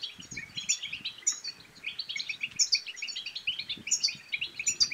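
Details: Twittering European goldfinch song, played to coax other goldfinches into singing and mating: quick, jingling high notes in an unbroken run, punctuated by sharp bright chips, over quiet low ticks.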